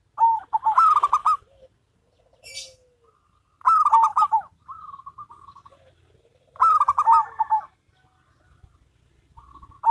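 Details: Local and crossbred zebra doves singing in duet, with loud bursts of rapid, bubbling trilled cooing about every three seconds and softer drawn-out coos in the gaps.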